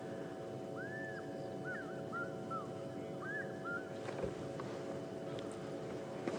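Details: A distant African Fish Eagle at a dam in Djuma Game Reserve, South Africa, on a morning safari drive on 4 May 2015, gives ringing, yelping notes that arch up and fall away over an idling vehicle engine.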